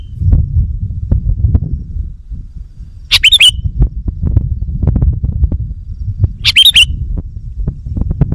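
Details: Sooty-headed bulbul call used to lure wild birds: two short bright chattering phrases with slurred whistles about three seconds apart, over persistent low rumbling and thumping noise.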